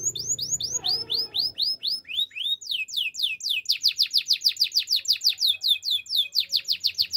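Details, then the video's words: Male canary singing a long sequence of sharp descending whistles, slower at first then quicker and denser, with faint low background noise at the very start. "Male canary singing with beautiful voice"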